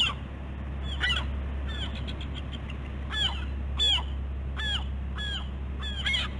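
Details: Bald eagles K-01 and K-91 calling at the West End nest on Catalina Island, California, 15 August 2016 morning: repeated high, sharp descending notes with a few stuttering chips, about one per second, over a continuous low hum.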